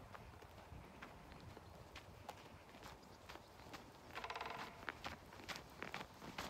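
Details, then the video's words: Drumming by a male great spotted woodpecker, one of a pair, at Haga, Sundsvall, February 2022: a quick, somewhat fainter burst of rapid knocks midway, amid clicking, footstep-like taps and background hum. "Större hackspett i par, trumning"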